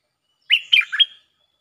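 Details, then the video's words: Bulbul song played as a lure sound, a style called Chao Bank with doubled phrases: one short bubbly burst of three quick warbled notes jumping between low and high pitch, over a clean silent background. "Suara pikat merbah lekir gacor"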